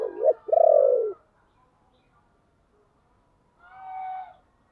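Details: Spotted dove giving its low 'chìm' coo, used as a lure call to draw in wild doves: a short note, then a longer pulsed throaty coo. After a pause comes a fainter, higher drawn-out sound.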